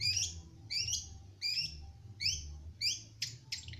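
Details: Young shrike just beginning to sing: short, bright chirpy notes with a quick rising sweep, given in separate bursts about every half second, with a low background hum.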